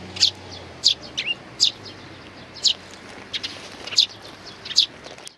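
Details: On 8 May 2019, sparrows with nestlings chirp repeatedly, giving seven prominent high notes plus fainter twittering and one short rising note between them.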